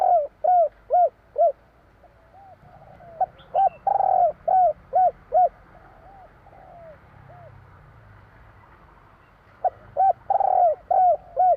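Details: Spotted dove song in the 'kur 3' style: bursts of loud, rounded coos repeated quickly, broken by one drawn-out rolling coo and a quiet pause before the series resumes. The background is clean.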